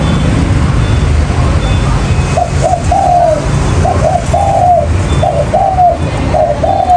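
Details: Spotted dove calling as a trapping lure, starting after a quiet opening, then rhythmic groups of short coos ending in a long falling note, over steady low-frequency rumble.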